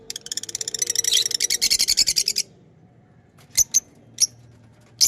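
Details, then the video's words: Lovebirds kept as pets chatter in a dense rapid run of high notes for two seconds, followed by a quiet stretch with a few isolated sharp chirps. "Beautiful Pets Love birds chirping & Sound"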